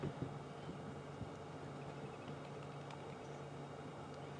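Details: Steady vehicle engine hum with wind and faint background rustle, no animal calls heard.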